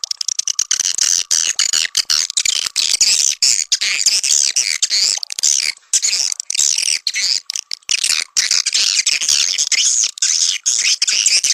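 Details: Swiftlet call sound played to draw swiftlets into a nesting house, in the style called Sandro: dense, continuous high chattering chirps and twitters, rapidly overlapping with brief gaps, without pause for the whole stretch.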